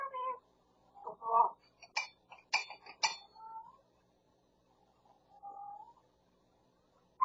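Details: Pet grey parrot near Los Angeles, California, mimicking cat and Pungsan dog sounds and the husband calling the cat: short nasal mewing bursts, clipped clicks and speech-like syllables, then a soft drawn-out whine and a sudden loud note at the end.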